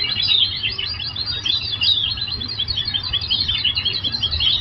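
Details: Oriental white-eye song used as a therapy training recording to get other birds to answer within three minutes: dense, fast, high twittering phrases run without a break over a steady low hum.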